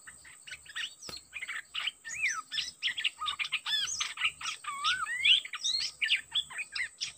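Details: Decoy bird singing at a very aggressive wild-caught bird. A rich, fast song of varied whistled sweeps, loops and sharp chirps pours out almost without pause, over a faint steady low pulsing hum.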